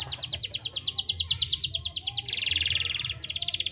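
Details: Canary long roll used as a prompt for non-singing canaries: rapid repeated sharp notes in a steady trill, shifting into a dense buzzy rattle, with a low background hum.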